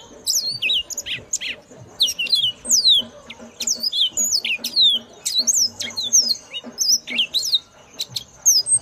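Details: Yellow-fronted canary in full loud song, sharp high chirps and downward-slurred whistles delivered in brisk repeated phrases, with only faint low background pulsing.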